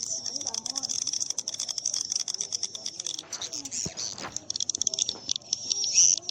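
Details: A swiftlet call used to lure birds to swiftlet houses: a dense, continuous stream of rapid, high, buzzy chirps with slight rises and falls in loudness throughout.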